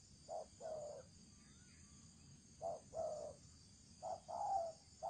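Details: Spotted dove kept as a decoy, cooing in the 'thổ trần' style: three soft, hollow phrases, each a brief note followed by a longer drawn-out coo, with a faint thin whistle between them.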